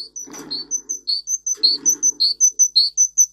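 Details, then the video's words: Russian singer canary singing for training canaries: quick alternating chirps, a thin very high note and a fuller lower note in a steady, bouncy rhythm, with two brief soft rustling noises in the background. "For training Canary singing (Russian singer canary singing) Original Song"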